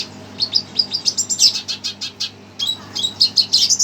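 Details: A red siskin, reportedly agitated on hearing another bird's sound, sings a fast, high twittering of chirps and trills with one brief pause midway, sounding worked up. A faint indoor hum sits underneath.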